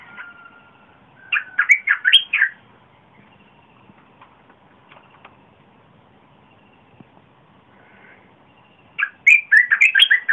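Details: Big-voiced red-whiskered bulbul song, recorded 30 April 2021 to lure wild birds and teach young birds: two lively bursts of fast, jerky, warbling notes separated by a quiet gap with faint whistles.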